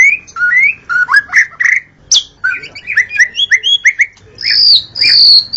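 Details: Dawn singing of a white-rumped shama used to lure shamas: lively mix of rising whistles, sharp chips and high sustained notes, delivered rapidly with brief breaks.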